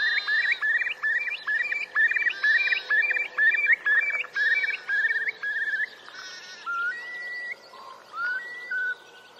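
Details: Male Eurasian curlews at Tindale Tarn, Geltsdale, displaying to attract mates in late April 2021: a fast bubbling trill of short rising notes, about two per second, eases into slower, drawn-out upslurred whistles.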